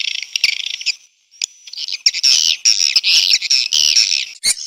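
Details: Swiftlet response call: buzzy high twittering, a short pause, then louder rapid chattering with thin whistled squeaks woven through.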